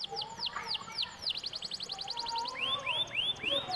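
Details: Domestic canary song used to coax other canaries into singing: quick downward-slurred whistles, a fast buzzy trill of repeated notes, then slower upward-arching whistles, over a low background hum.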